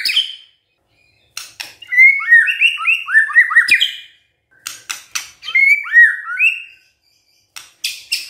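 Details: Gacor song of a white-rumped shama to trigger an idle shama: bursts of rippling slurred whistles separated by pauses and sharp clicking notes.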